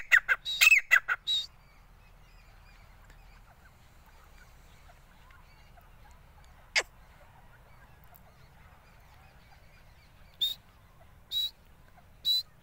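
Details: Grey francolin (desi or gora teeter) calling: a quick burst of four loud, harsh, ringing notes, a long pause with a single sharp click, then three more strident notes spaced about a second apart, in otherwise quiet surroundings.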